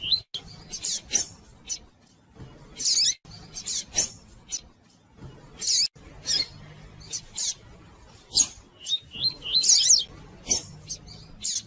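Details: Female double-collared seedeater calling and chirping persistently to stir up males and stimulate their singing; sharp high chirps and short twittering bursts come in irregular clusters, with brief pauses between them and faint low background hum.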